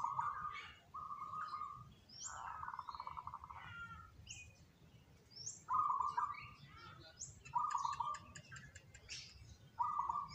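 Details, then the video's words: Zebra doves, three birds picked for singing most eagerly, deliver a series of buzzy, rolling coos at a steady mid pitch, some phrases running together, amid sharp high chirps of other small birds. "perkutut yg terpilih paling rajin manggung"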